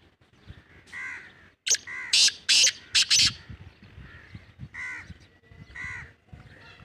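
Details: Black francolin, known locally as kala teetar: a cluster of loud, harsh, rasping notes in a rapid rhythmic phrase, framed by softer, shorter nasal calls before and after.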